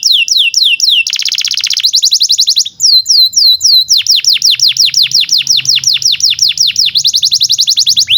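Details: Canary singing nonstop, meant to prompt young or silent canaries to sing: downslurred whistles, a dense buzzy trill, then long rapid runs of falling whistled notes with faint low hum beneath.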